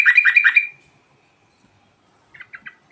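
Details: Rolling ngerol song of a yellow-vented bulbul: a fast bubbly chattering burst of about four linked notes, a pause, then four short separate chirps.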